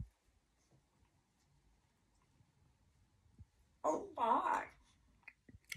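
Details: Pet African grey parrot imitates actor George Takei's catchphrase, a quick two-part human-voice exclamation "Oh! My!", after a few seconds of near silence in a quiet room.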